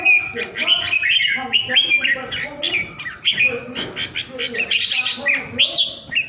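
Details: A home-kept caged red-whiskered bulbul from Vietnam, called a 'ground airplane' singer, delivers a steady stream of warbled notes and clear whistles, ending with a higher, sharper flourish.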